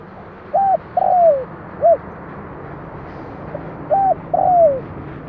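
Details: Spotted dove kept as a decoy, repeating its luring coo twice: a flat coo, a longer falling coo and a short final coo, heard over steady hiss and low rumble.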